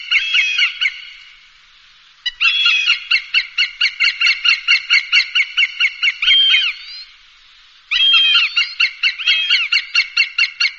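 A hawk gives harsh, nasal, rapidly repeated notes in bursts of several seconds, separated by short pauses.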